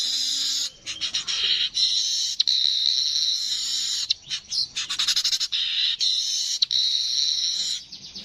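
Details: Streaked weaver delivering repeated stretches of harsh sizzling buzz, each interrupted by rapid dry rattling clicks, with almost no pause between phrases.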